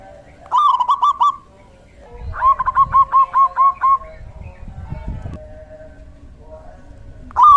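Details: Male local zebra dove used as a decoy, giving one trilled coo phrase, then a separate series of about eight quick, evenly spaced clipped coo notes, with rustling and a further phrase beginning at the end.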